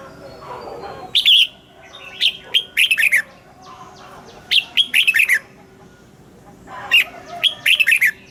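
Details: Morning song of a caged red-whiskered bulbul, forest-style double notes used for training other birds: three loud phrases of warbling, bubbling whistles spaced about two seconds apart, separated by short pauses.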